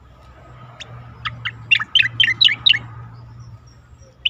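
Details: Asian pied starling singing for a competition-bird training recording: a rapid chattering sequence of bright, clipped notes that rise and fall, roughly ten notes packed into two seconds, with a faint low hum underneath.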